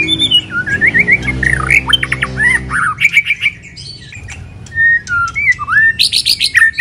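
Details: White-rumped shama in moult delivering rich whistled song: quick rising and falling whistles, a short pause, then sharp clicks and bright high whistled phrases, with a low droning hum early on.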